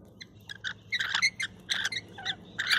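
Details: Wild rainbow lorikeets visiting a balcony in Australia, calling out for food while eating honey and nuts: a burst of harsh, scratchy chattering screeches in quick irregular bursts.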